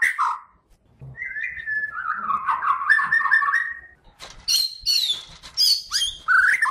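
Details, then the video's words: White-rumped shama from Kalimantan, used as a master song for training songbirds: varied song with a rich warbled run of notes from one to four seconds, then sharp high whistles and fast chirpy phrases. "SUARA KICAUAN BURUNG MURAI BATU KALIMANTAN HAJI MAHKOTA GACOR COCOK BUAT MASTERAN"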